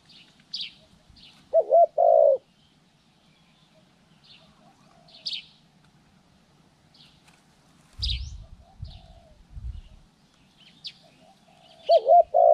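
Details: Spotted dove in bird-trapping training, January 14, 2020: one short-long coo phrase early and another at the end, separated by scattered high chirps from other birds and a brief rustling thump.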